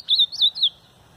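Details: Ultramarine grosbeak, a caged bird held in the hand, singing a brief phrase of three clear whistled notes, each slurring around a steady high pitch, in quick succession over quiet background.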